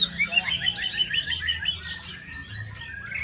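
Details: Young white-rumped shama singing: a rapid run of sweet, varied whistled notes and twittering phrases, rising into higher, brighter warbles near the end, with a faint low hum underneath.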